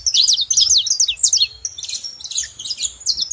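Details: Quick, sharp high tweets from saffron finch, a fast rattling chain of slurred chirps followed by fuzzier notes, over a faint low hum.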